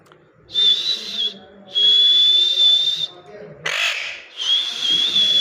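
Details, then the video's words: Parrot giving long, harsh screeching calls with a thin steady whistled tone running through them, three drawn-out bursts of one to one and a half seconds plus one short rasping burst, separated by brief quiet gaps. "Natural parrot sounds"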